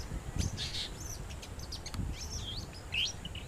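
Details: Long-tailed shrike (Lanius schach) mimicking a drongo, with the drongo calling in the background: a quick run of high, slurred whistles and sweeping chirps over low rumbling noise.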